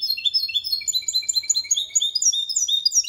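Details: Goldfinch-canary mule singing a clean Malaga copy to encourage others to sing; dense, continuous high twittering with quick rising and falling chirps.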